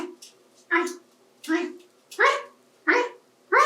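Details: A 28-year-old male African Grey parrot, kept at home and adopted as an adult, talks while playing with toys in a bathtub. Six short speech-like syllables, like a repeated "Hi," come about every 0.7 seconds in a small room.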